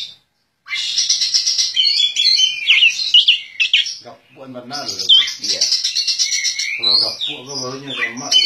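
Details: Caged champion Oriental magpie-robin, a contest bird, pours out loud rapid song: dense buzzy trills alternating with crisp whistles and harsh scratchy bursts, phrases running several seconds with a short pause near the middle.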